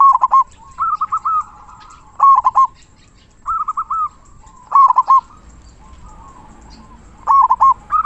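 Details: Local zebra dove, a lively singer with a big 'kung' voice, used to tutor and stimulate other doves: repeated rolling coo phrases, some clipped and bubbly, others smoother and trilled, roughly every second or two.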